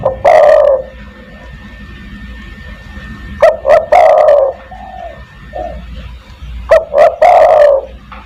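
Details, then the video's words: Spotted dove, 'kuk 1' cooing played to call other doves: three loud phrases of short notes leading into a long falling coo, with quieter mellow coos in the gaps between them. "burung DERKUKU tekukur master gacor kuk 1 sangat mewah untuk memanggil teman"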